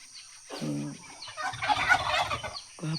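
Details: Geese returning from roaming: a nasal honk, then a noisy gabbling flurry of several birds calling together, ending with another deep harmonic honk.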